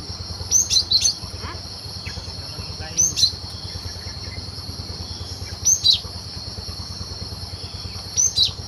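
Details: In the wild, a cinereous tit recorded as a lure for bird trapping repeats a short two-note high whistled phrase roughly every two and a half seconds, over steady insect droning and low background noise.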